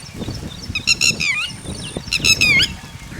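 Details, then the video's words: Red-wattled lapwing (tateri) accompanied by chicks: two loud bursts of harsh, ringing, rapidly repeated notes, each ending in a falling slur, over a steady low background rumble. "Red Wattled Bird Singing And Red Wattled Chicks (ٹٹیری )"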